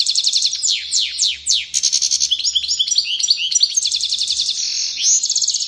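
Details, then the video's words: Excited European goldfinch pouring out fast tinkling song: quick repeated chirps, downward-sweeping slurred notes, nasal buzzy passages and rolling trills without pause. "Saka Huylandırma 👉 Çıldıran Saka - Goldfinch goes crazy - Carduelis - صوت تدريب الحسون"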